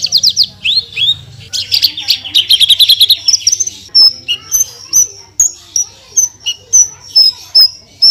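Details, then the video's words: Branjangan (Javan bushlark) tutor song, full tembakan: a quick descending trill and a buzzy chattering run, then clear high whistled notes repeated roughly every half second. "SUARA BURUNG BRANJANGAN GACOR FULL TEMBAKAN"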